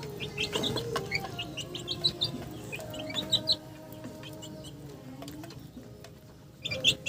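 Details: Chickens give bursts of short, high, clucking notes, with several long level tones underneath. A quieter stretch follows, and a loud call comes at the end.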